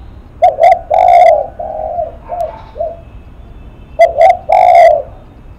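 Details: Spotted dove cooing twice: short clipped notes, a long low hoot, then softer descending coos. The phrase is repeated loudly after a pause.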